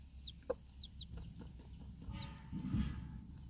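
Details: Backyard mother hen with four baby chicks outdoors at feeding time, staying alert after a dog startles the flock; thin, high, downward-slurred peeps in short pairs, a soft knock, steady low hum beneath.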